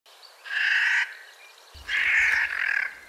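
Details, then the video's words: A Clark's nutcracker, a cousin of the American crow, gives two harsh, grating, crow-like calls, each about half a second to a second long, over a faint low rumble. "That's actually the call of a really interesting bird called Clark's nutcracker."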